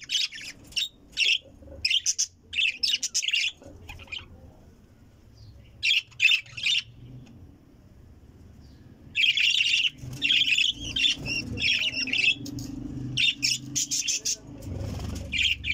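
Budgerigars chatter in fast, scratchy chirps and squeaky warbles, coming in bursts with brief quiet gaps.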